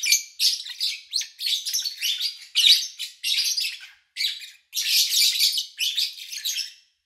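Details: Lovebirds chirping at an owner's home in August 2019, recorded with little engine noise: steady rows of scratchy, shrill notes in short phrases, ending in a long loud burst of chatter.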